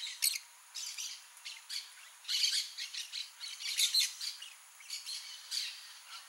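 Blaze-winged parakeets give harsh, scratchy squawks and chattering notes in irregular bursts, several birds seemingly calling over one another.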